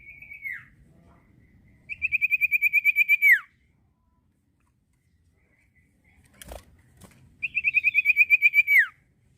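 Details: Common iora singing: two long phrases of a rapidly pulsed, even whistle held at one pitch for over a second, each ending in a sharp downward slur, separated by silence; a soft click and faint low rumble between them.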